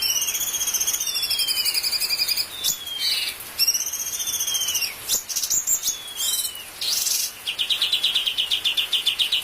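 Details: Bulbul training-master filler song: fast ringing trills at a high pitch, then clipped downslurred whistles and squeaky notes, ending in a steady, even, rattling buzz.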